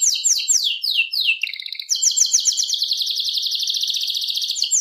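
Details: Serinus canaria song with repeated high downward-sweeping notes, a lower buzzy roll, then an extended rapid high trill, loud and continuous.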